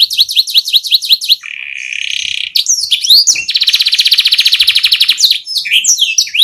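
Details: Canary rolling song used for tutoring other songbirds; a rapid series of high rising whistled notes, then a long sustained buzzy trill, more sweeping notes and a long fast rolling trill, ending in quick chirps.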